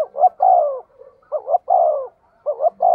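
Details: Decoy spotted dove gives rapid, mellow coo phrases: two short hooting notes leading into a longer falling note, three phrases in quick succession.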